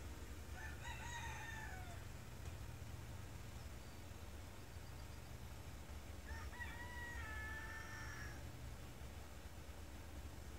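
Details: Roosters crowing over and over one morning at a farm with many chickens of varied kinds. Two faint, distant drawn-out crows are heard several seconds apart, each a wavering series of notes, over a steady low hum.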